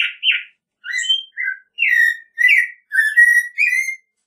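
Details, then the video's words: American robin song in a steady caroling string of about eight warbled, whistled phrases, each rising or dipping slightly, delivered almost without break and topped by faint high squeaky overtones, in a quiet setting. "American Robin Song! Call! Sound! Singing! - Mirlo Primavera Canto- Turdus Migratorius"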